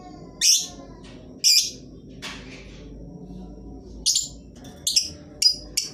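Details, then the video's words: Lovebird lure for prompting reluctant birds to sing. Two harsh shrieks about a second apart and a softer rasping note are followed after a pause by a cluster of quicker, sharp, shrill squawks, over a low hum. "Lovebird jenis apapun dijamin pasti ikut bunyi, pancingan ampuh bagi burung yang malas bunyi"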